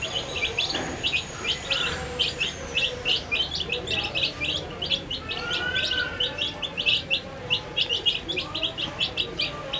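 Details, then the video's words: Brightly coloured chicks feeding together, uttering rapid, high, piping chirps in a dense unbroken chorus, with a soft whine in the background. "Funny Sound When Baby Chicks Eat Food"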